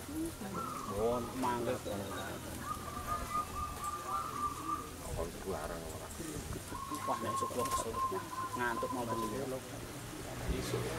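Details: Zebra doves (perkutut) at a local dove-singing contest in Windusari, Magelang, Central Java, Indonesia give soft, rapid cooing trills in long even runs; other doves call at once and people talk.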